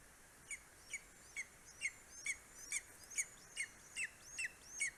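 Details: At an Estonian nest on a July morning in 2020, a greater spotted eagle delivers prey to a four-week-old eaglet; quick, thin, yelping calls follow each other steadily, roughly two per second, over faint background noise.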